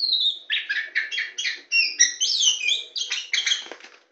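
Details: Tame white-rumped shama singing perched on a hand, a long whistle leading into a continuous, rapid run of rich slurred whistles and buzzy notes.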